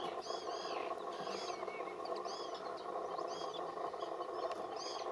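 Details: Young spoonbill begging for food at Hodd barrow Nature Reserve. Thin, high, arching squeals come in pairs about once a second over a steady broad rushing background.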